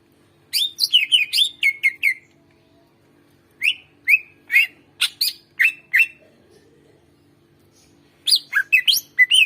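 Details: Lively greater green leafbird song used to get reluctant birds singing: rapid runs of sharp chirps and bent whistles in three bursts, the final one dense and tumbling, over a faint background hum.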